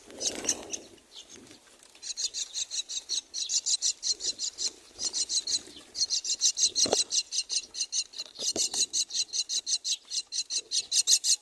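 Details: Four myna nestlings begging while their mother feeds them at the nest: insistent rasping, buzzy calls pulsing about three times a second in long rapid series, broken by brief pauses.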